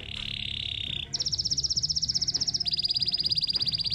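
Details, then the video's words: Belgian canary singing: a steady, high, pure tone for about a second, then fast pulsed trills of rapid high notes that step slightly lower partway through, with soft background music underneath. "Os Melhores Cantos dos Canários Belgas"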